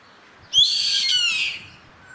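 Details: Yellow-headed caracara calling in the wild: one harsh, raspy screech about a second long, rich and grating, that slides slightly downward at its end, over a quiet background.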